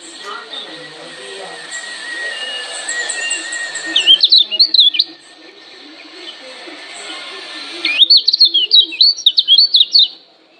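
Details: Lemon-bellied white-eye of Lombok giving a provoking challenge call: two short bursts of fast, high, zigzagging chirps, the second longer and louder, separated by a few seconds of low hiss.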